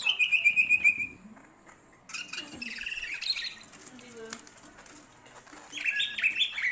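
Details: Greater green leafbird song kept as a master recording for training songbirds: bright chirps and a rapid high trill, a pause, then a busy jumble of varied high notes and fast whistled phrases.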